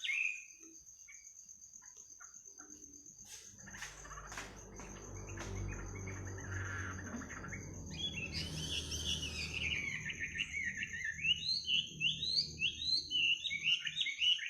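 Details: Birds chirping at midnight, their sweet voices offered as a lullaby for sleep: scattered clicks early on, then from the middle a run of quick, bright, rising chirps repeated rapidly over a steady high continuous whine and low rumbling noise.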